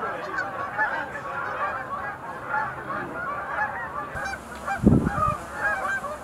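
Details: Continuous overlapping calls from a large gathering of sandhill cranes at the Montezuma National Wildlife Refuge Visitor Center pool on 20 November 2021, interrupted near the end by a brief low thump.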